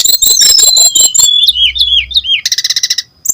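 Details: Brown-chested jungle flycatcher used as a lure for untrained birds of its species: a dense high trill, then a string of falling whistled slurs, ending in a fast buzzy rattle.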